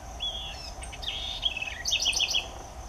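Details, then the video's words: A southern house wren sings its lively, tuneful song: a clear whistled note, then quick warbled phrases ending in a run of five sharp, rapidly repeated high notes, against faint background hum. "CANTO alegre e melodioso da CURRUÍRA (Troglodytes musculus) SOUTHERN HOUSE WREN"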